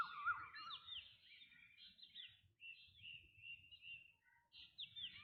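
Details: Varied calls of a black drongo: a string of clear, swooping and wavering whistled phrases, some slurring up, others down, delivered in quick succession with short gaps, set against soft background chirping.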